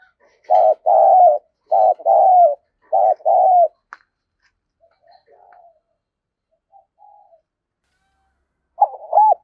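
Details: Spotted dove decoy cooing, used to stimulate wild doves and train decoy birds: three loud paired coo bursts in quick succession, then faint scattered notes and a final wavering coo; no other sounds.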